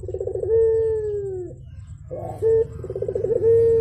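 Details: A Javan turtle dove calls eagerly in the morning: a bubbling stutter leads into a long, even, gently falling coo. The phrase repeats after a brief pause and a short clipped note, with a faint hum behind.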